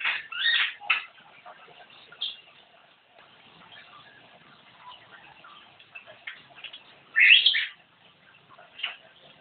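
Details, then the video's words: Javan myna singing busily (gacor), with two loud grating squawks at the start, a long stretch of quiet scratchy chatter, then a sudden loud harsh burst and one last rasp. "Burung jalak kebo gacor"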